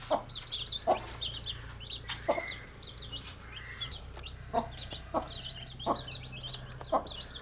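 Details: Baby domestic chicks going about their day, giving a steady stream of short, high, downward-slurred peeps that overlap from several birds, with occasional dull knocks and a low background hum.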